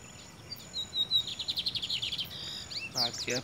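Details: Loose, uncaged Lined Seedeater perched on a man's head, with another bird answering. Thin whistled notes lead into a fast, rhythmic buzzy trill that fades. A brief louder, lower burst follows at the end.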